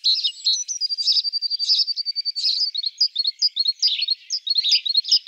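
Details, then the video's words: Great tit giving a busy stream of high chirps and thin whistled notes, bursts of sharper twittering every half second or so, continuous over several seconds, clean background. "great tit koolmees"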